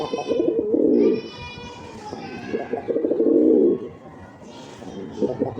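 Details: Black pigeon giving a so-called attack sound: low, burbling, rolling coos in two strong bursts, with quieter stuttering notes between them and faint murmuring voices.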